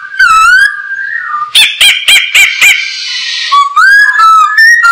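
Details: Masked laughingthrush, poksai hongkong, singing for bird training: a long wavering whistle, a series of five harsh rasping notes, a buzzy hiss, then quick mixed whistles.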